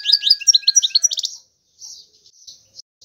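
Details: European goldfinch song: a fast burst of bright, high twittering and chattering notes for about a second and a half, then softer scattered notes trailing off, over a faint steady background tone.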